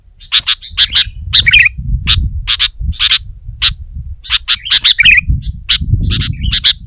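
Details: Sooty-headed bulbul singing hard to press a rival, stirring other bulbuls to join: short bright chirpy notes in quick bursts with a few slurred phrases, over a low rumbling background noise.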